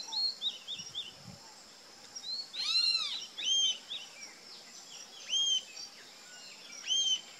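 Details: Rufous-tailed jacamar calling: high, thin arched notes that rise sharply then fall, given singly or in quick pairs every one to two seconds, after a soft run of short chirps at the start, over a steady high hiss in the background.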